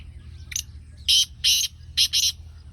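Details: Black francolin calling in a village setting: a series of loud, harsh, grating broadband bursts, two short notes followed by two longer rasping notes and a final double note, spread over under three seconds, with low background rumble.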